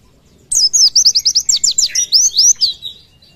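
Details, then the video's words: Oriental white-eye singing 'tembakan', used as masteran for other birds: one continuous rapid burst of about fifteen high, sharply swept whistled notes, dipping slightly lower near the end. "Pleci tembakan mewah"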